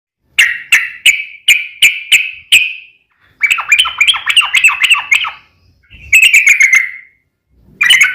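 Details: Sooty-headed bulbul (trucukan) in lively gacor song with long ropel runs, played as a lure so other bulbuls answer: six sharp chirps, then a fast babbling chatter, a falling slurred note, and another burst.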